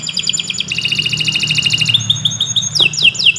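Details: Kenari Nusantara canary in a long training song meant to prompt silent birds: fast repeated chip trills that shift to lower rolled phrases, then quick downward-sweeping whistled notes, over a faint low hum.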